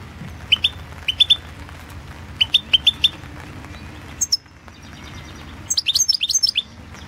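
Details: European goldfinch, Balkan form, entered in the 2016 World Championship in Goldfinch Song: groups of rising chirps in quick triplets, a brief pause, then a dense rapid twittering trill with high metallic notes.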